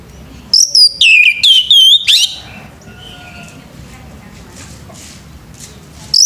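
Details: A male orange-headed thrush sings in the morning, a bright run of ringing whistled notes and slurs lasting under two seconds, followed by near silence and the start of a new phrase.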